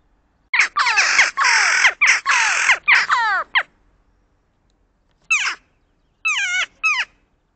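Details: A mated pair of crows calls at 7:15 AM, starting the day calling for peanuts at a feeder; a burst of harsh, grating caws, a pause, then three more hoarse, slightly falling caws.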